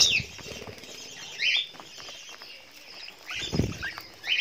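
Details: Budgerigars at a breeding farm give short, high, scratchy chirps among wing flutters and rustling.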